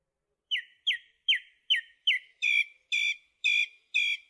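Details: Song thrush delivering its typical repeated phrases: a sharp down-slurred whistle given four times, followed by a richer, harmonic note also repeated four times at a steady pace of about two per second.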